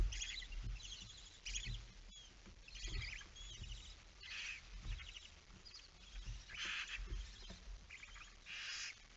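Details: Barn owl chick alone at the nest, September 2019 evening. A run of short, noisy rasps and wheezes repeats with low rustling and knocking sounds underneath, perhaps from movement in the nest.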